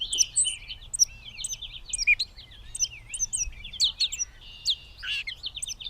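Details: Gray catbird, Bowdoinham, Maine, 16 May 2020, pouring out a fast, varied jumble of high squeaks, chips and slurred whistles with barely a pause, against a quiet background.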